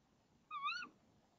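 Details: Tawny owl female calling from a nest box at dawn, 05:28, 26 March 2014, before the male delivers a frog. One clear, nasal, harmonic call lasting about a third of a second, gently wavering in pitch, against faint low hum.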